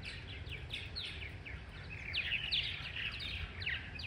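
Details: A flock of about 20 Purple martins arriving gives a busy chorus of overlapping chirps and gurgling notes over low rumbling background noise; cool, somewhat cloudy weather.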